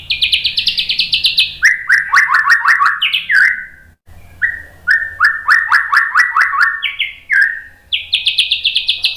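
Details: White-rumped shama training song with rapid shot phrases: bursts of fast rolling trills that drop from high to lower pitch, a brief pause, then more trill bursts and a rising high whistle.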